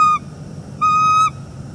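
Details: Bald eagles, a mated pair at their nest in northeast Florida on a September morning, calling together after the female refuses a mating attempt; two clear high whistled notes with rich harmonics, a short one then a longer steady one.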